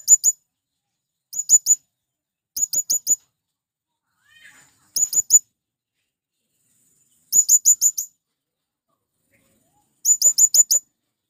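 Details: Calling male blue-crowned hanging parrot attracting wild birds. Repeated short runs of three to five very high, thin, rising notes come at uneven intervals, with a faint lower chirp in the middle.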